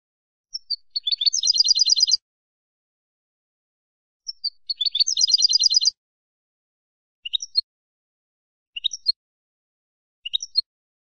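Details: European goldfinch, Malaga classic ancestral style, on a recording for young birds to learn from: two lead-in notes and fast ringing trills repeated twice, then three short separate chirp groups.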